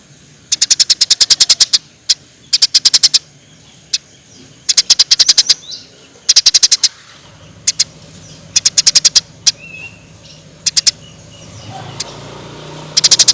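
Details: Eurasian tree sparrow, lively singing, for training songbirds: short rapid bursts of high chirps spaced by pauses and scattered single chips, over a low steady background hum.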